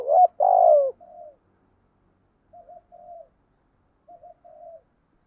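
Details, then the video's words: Decoy spotted dove cooing to draw wild doves: one loud, full phrase of a short wavering note and a long falling coo, then two quieter, more distant-sounding repeats of the same pattern. "chim cu mồi thúc gù bài bản nhất hiện nay, chim cu gáy kích bổi hiệu quả nhất hiện nay"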